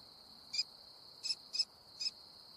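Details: An American kestrel, eating prey, gives four short, sharp, high notes, spaced irregularly over two seconds, over a steady high insect drone.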